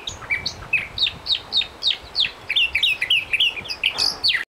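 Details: Mockingbird in full song in January, Long Island, central Bahamas, a seasonal herald of spring: rapid sequence of clear whistled notes and slurred chirps, many upslurred, about three to four per second, with light outdoor noise behind.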